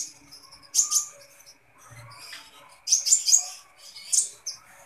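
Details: Energetic kolibri ninja sunbird: sharp, very high chirps in two or three quick bursts separated by quiet gaps, with soft lower twittering in between.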